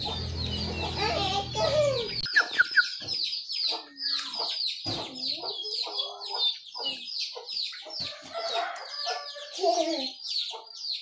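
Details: Morning birdsong from small birds, with dense, high, quick chirps and twitters repeated throughout. Lower, looping warbled notes come and go, and a low, harmonic fowl-like sound is heard during the first two seconds.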